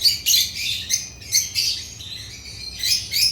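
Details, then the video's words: African lovebirds of the genus Agapornis chirping: bursts of shrill, high-pitched chatter come in clusters about every half second, with short quieter gaps between them. "Agapornis lovebirds chirping sounds"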